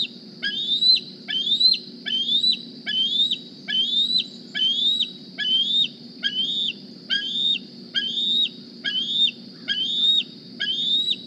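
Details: At the Decorah nest on a morning in the 2020 season, a GPS-tagged juvenile bald eagle begs for food with a long run of shrill whistled squees, each rising then dropping sharply, repeated over a steady high hum.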